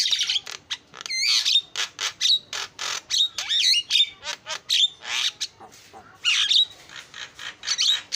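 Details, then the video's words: Starling lure song for pulling in other birds, a steady run of short rasping bursts mixed with thin whistles and twisting slurred notes, repeated at a rapid, uneven pace. "SUARA JALAK PALING KREN KICAUAN JUARA"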